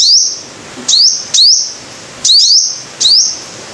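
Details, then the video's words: Five-coloured sunbird, recorded as lure sound: piercing high upward-swept notes, each ending in a bright lingering whistle. They come singly or in quick pairs, spaced under a second apart, over a faint hiss. "Tiếng chim hút mật 5 màu"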